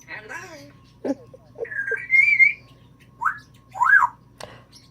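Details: Pet African grey parrot, female, mimicking sounds indoors. Speech-like warbled notes, a sustained rising whistle, then arching swooped whistles, with a person speaking nearby.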